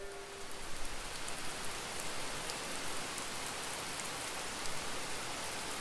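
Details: Steady rain drumming on a surface, a dense wash of noise with scattered drop ticks and no animal voices.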